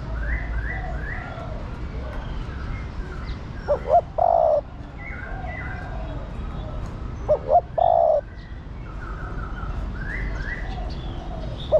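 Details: Female spotted dove cooing to call and rouse a male. Two coo phrases, about four seconds apart, each pair short clipped notes with a longer mellow coo. A steady chorus of other birds' chirps and whistles fills the background.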